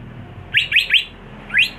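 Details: A caged greater green leafbird being trained for contests sings three quick rising, slurred whistles in a row, then a fourth after a short pause, all bright and high over faint background rumble.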